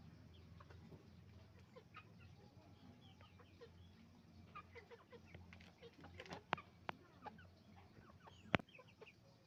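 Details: Roosters and hens on a chicken farm make noise: scattered short clucks and squawks overlap at irregular intervals over a steady low hum, with a few sharp clicks or knocks near the end.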